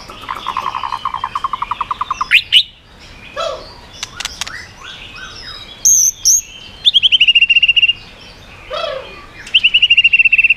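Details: White-rumped shama singing to provoke other birds: a rapid trill of repeated notes, varied chatter and short low notes, then very high whistles and long clear descending whistled phrases with rapid stuttering starts.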